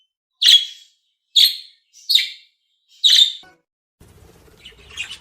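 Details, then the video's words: Budgerigar calls used to stimulate other budgies: four loud, buzzy chirps about a second apart, followed by softer chattering notes over a low rumbling background noise in the final second. "صوت بادجي لتحفيز طيور البادجي"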